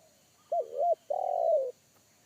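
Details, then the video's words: Forest spotted dove giving its deep, bass-heavy 'kuk satu' call, a sound that frightened a trained decoy dove; a single phrase of two bending coos runs into a long, sustained, gently falling final coo. "PIKAT AJARAN T4KUT MENDENGAR SUARA TEKUKUR INI‼️SUARA BESAR NGEBASS"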